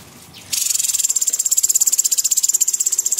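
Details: Cucak cungkok, a small bird, singing in a lively gacor style: a fast, sharp rattling burst of high-pitched notes begins after half a second and continues steadily, about three to four pulses per second.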